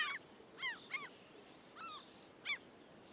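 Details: Common gull recorded in the field in the UK, giving about five clipped, nasal, arched calls spaced roughly half a second to a second apart, with a soft constant hiss behind them.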